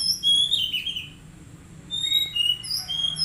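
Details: Caged Oriental magpie-robin, an untrained young bird kept for song, giving high clear whistled phrases, some rising and some falling, with short gaps between bursts and a faint low hum underneath.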